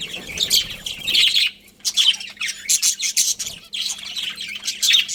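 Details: Budgerigars in a colony chirping together: dense bursts of harsh, buzzy chatter and squawks from several birds, with a short lull in the middle before the chattering resumes, over a faint low steady hum.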